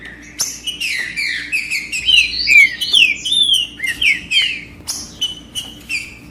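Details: Green-winged saltator song used to heat up and stimulate a male: a rich, continuous phrase of clear whistled notes, rising and falling slurs and short warbles, delivered rapidly for several seconds before trailing into a few spaced notes.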